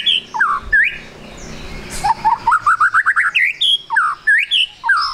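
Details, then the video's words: White-rumped shama singing trotol-style as a lure to get birds singing quickly: looping whistles, then a fast run of about ten rising notes climbing steadily, followed by more slurred whistles. "MURAI BATU GACOR, PANCINGAN MURAI BATU TROTOL AGAR CEPAT BUNYI"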